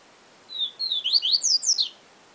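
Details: Papa-capim, the Yellow-bellied seedeater, giving one Siu Siu Professor phrase: two drawn-out high whistles, then about five sharp upward-sweeping notes that climb higher toward the end, in a quiet setting with faint background hiss.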